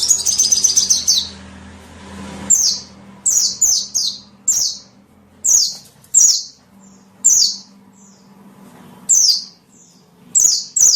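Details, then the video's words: Lure sound for small birds: an opening high buzzy trill, then single sharp downslurred chirps spaced roughly a second apart, with quiet gaps between them. "SUARA PIKAT BURUNG KECIL"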